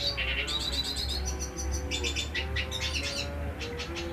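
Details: A male black-hooded siskin at Taman Tujulapan sings a fast, continuous twittering warble of high, buzzy trills and chips over a steady low hum.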